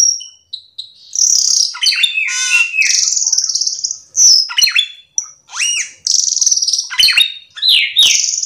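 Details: Cucak keling, or Black-winged Myna, in full excited song played to lure other cucak keling: loud harsh screeches alternating with high whistles and descending chirps, densely packed with short pauses.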